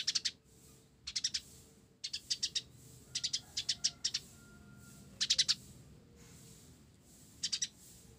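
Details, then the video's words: Olive-backed sunbird, 'blorok' type, in full vigorous song laced with sparrow-like notes: clusters of three to five sharp, high chirps repeated about once a second, with faint low tones and background hum. "Kolibri Ninja Blorok Gacor isian Gereja"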